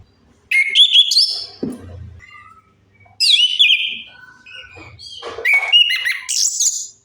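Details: Lure song of an orange-headed thrush, meant to prompt non-singing birds: two long bursts of rich, jumbled whistles and chattery notes, high and fast, with brief quieter gaps and faint low rumbling.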